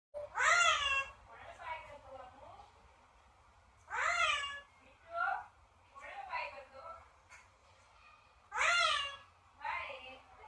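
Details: Pet parrot calling: three loud, harsh, descending harmonic cries spaced about four seconds apart, each followed by softer, shorter, wavering notes.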